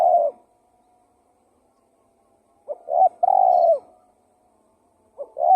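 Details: Spotted dove cooing used as a lure: one full phrase of two short notes and a long mellow hoot, framed by fragments of others, with a faint steady tone between.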